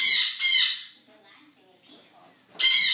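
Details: Zoo birds, described as noisy, on a morning: two loud rasping squawks, a quiet stretch with faint sounds, then another harsh screech.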